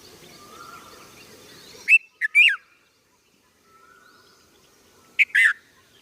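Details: Red-vented bulbul giving short, bright, chirpy calls in quick clusters of two or three notes, separated by about three seconds of near silence, with a faint low hum in the background.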